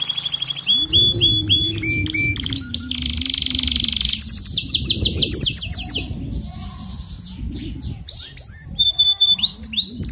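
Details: Canary delivering a varied song of quick repeated note tours, each held for about a second before switching, with whistled upslurs and a low rumbling background underneath.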